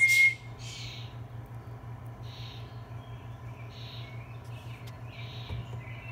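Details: A Black-capped Chickadee nestling being fed on 19 June 2021 gives high, buzzy begging calls in short bursts about once a second, with a loud burst at the start and a low steady hum underneath.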